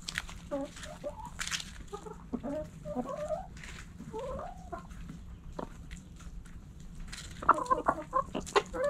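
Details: Chickens relaxing in a backyard coop, hens giving repeated short, wavering clucks and trills, growing busier and louder toward the end over a low steady hum.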